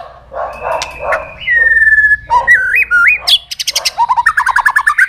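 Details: White-rumped shama singing continuously in many forest voices during a contest: scratchy opening notes, a long pure whistle sliding down, stepped whistles, then a rapid even trill of repeated chipping notes that speeds up at the end.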